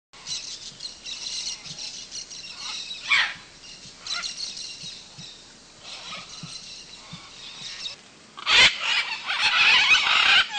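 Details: Wild red-and-green macaws hanging about in trees over a clay lick in Manu, Peru, give harsh, raspy squawks over a steady hiss of softer chatter, with a loud grating screech near the end and a burst of overlapping calls.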